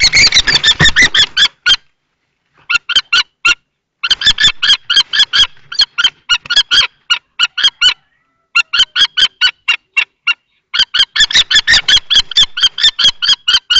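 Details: Common kestrel at a Théding nest box, 20 March 2024, during a long confrontation between an adult and a young male: bursts of rapid harsh kee calls separated by silent gaps, opening with scuffling noise.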